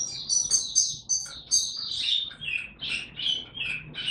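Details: Oriental white-eye being brought to form, 'tiong aw' song recorded 3 January 2022: high, fast twittering that drops into a series of lower, slurred chirps repeated roughly twice per second.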